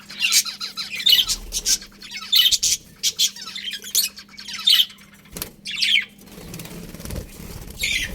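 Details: Budgerigar colony chattering: repeated clusters of high squeaky chirps and warbles roughly every second, a sharp click midway and some lower rustling toward the end.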